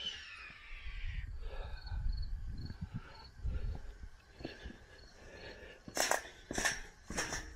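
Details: At an abandoned nuclear weapons facility as a storm comes in, a red-tailed hawk gives a raspy, descending scream, followed by footsteps, rustling and sharp metallic clanks.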